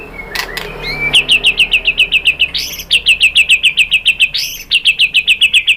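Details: White-rumped shama used as a lure to make other shamas respond: after a few scattered notes, a fast and very regular series of sharp high chirps, about three or four per second, broken by two brief louder phrases.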